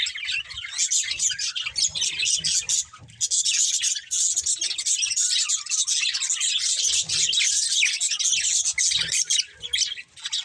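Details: Budgerigar breeding pair keeping up a continuous high chirping chatter, steady and dense, over a faint low hum.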